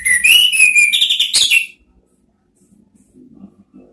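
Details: Orange-headed thrush (anis merah) in ngeriwik style: a rising whistled phrase breaking into rapid, harsher chattering notes for about a second and a half, followed by quiet low background noise.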